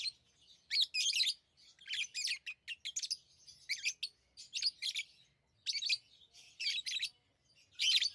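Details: Pet lovebirds calling in loud harsh chirping bursts, rasping grouped notes repeated roughly every half second to second, continuous shrill chatter through the clip.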